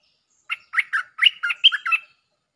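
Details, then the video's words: Lure recording of a stripe-throated bulbul singing one rapid, liquid phrase of about seven bubbly notes that bounce up and down in pitch over under two seconds, clean and without background noise. "เสียงนกดอกแตงEp.153 ฟังกันยาวๆเพลงจ้าวแบงค์ มีเบิ้ล เพลงเพราะน่าฟังSuara pikat merbah lekir gacor"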